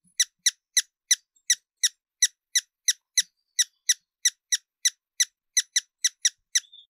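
A hummingbird gives a long series of sharp, high squeaky chips, about three every second in an uneven rhythm, with nothing else heard.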